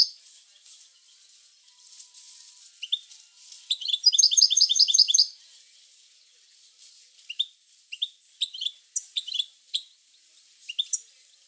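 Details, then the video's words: A European goldfinch sings to prompt other goldfinches to sing: a loud, fast cascade of high jingling notes lasting over a second, followed by scattered sharp twitters and chirps. "اروع بتبتة لتحفيز الحسون على التغريد"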